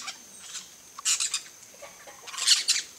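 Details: Flock of peach-fronted parakeets at a feeder giving harsh, scratchy screeches in short bursts, a few overlapping calls at a time, with quiet gaps between.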